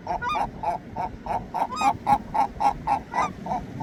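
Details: Gulls calling in a steady series of clipped, nasal honks at roughly three or four a second, joined by occasional upslurred whining notes, all over a soft, continuous low background noise.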